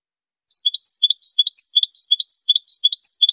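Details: European goldfinch song recorded for training: a clean, high twittering of short chirps and liquid notes, phrases recurring about every half second after a brief silence, with no other sounds.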